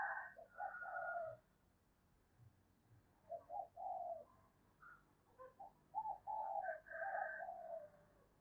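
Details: Decoy spotted dove in the 'giọng thổ' cooing style, described as resonant: soft, distant-sounding phrases of low hoarse coos. Short notes run into drawn-out ones, several phrases across eight seconds with quiet gaps and a faint room hum beneath.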